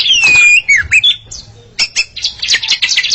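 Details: A pair of Oriental magpie-robins singing against each other: a long slurred whistle falling then rising, followed by short sharp notes and a fast burst of scratchy, buzzy chips.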